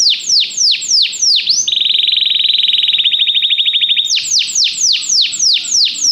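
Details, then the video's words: Canary training song to encourage singing: loud, descending swooping whistles about three per second, broken by a rapid, rattling mid-pitched trill lasting over two seconds, then more swooping whistles. "Este canto canário inspira o apetite do seu canário para cantar imediatamente"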